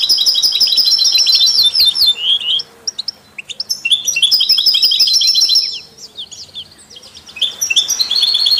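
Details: Song of European goldfinches mixed with canaries and mules, meant to stimulate songbirds: fast tinkling, twittering runs and sliding notes, broken by quieter stretches of scattered chirps mid-clip.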